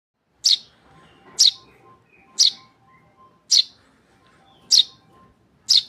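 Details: Tame Eurasian tree sparrow chick giving loud, sharp high chirps about once a second, six in a row, with faint soft notes between.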